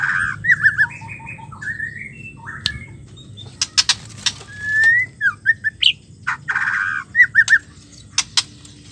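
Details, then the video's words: Female white-rumped shama calling, used as therapy to get silent or stressed males singing again: varied clear whistled notes, short trilled phrases and brief harsh bursts with pauses between them. "suara betina murai batu ampuh untuk memancing murai stres,macet bunyi"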